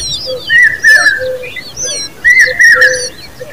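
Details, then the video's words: Common babbler chicks give drawn-out, slightly buzzy mid-pitched calls in two bursts, over scattered higher chirps and a few soft low notes from other birds. "Common babbler birds babies with sound"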